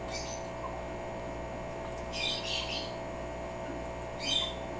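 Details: Pet African grey parrot imitating its owners' sneezing: two short, breathy, hissing bursts, one midway and one near the end, over a steady indoor electrical hum.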